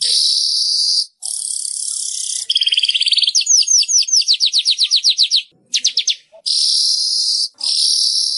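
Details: Weaver singing, meant to spur caged birds into song: high sizzling buzzes broken by brief silences, then a quickening series of sharp downslurred ticks and a short burst of rapid notes before more buzzing.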